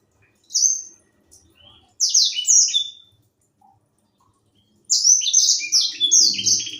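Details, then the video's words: A young white-rumped seedeater, a seed-eater whose song tutors other songbirds, delivers short high twittering phrases separated by silences, ending in a long rapid run of sliding chirps over a low rumble. "Burung sanger muda gacor"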